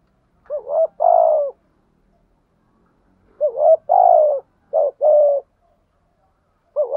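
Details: Captive lure spotted dove urging wild doves in with coos: a two-part hollow coo, a pause, then two phrases back to back of a short bent note and a longer falling note, in stillness.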